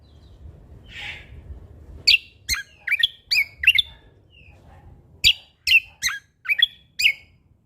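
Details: Lombok Sumatran leafbird in lively song: after a soft buzzy note, a run of crisp, high, downward-flicking chirps spaced about a third of a second apart, then a second similar run, against quiet background hum.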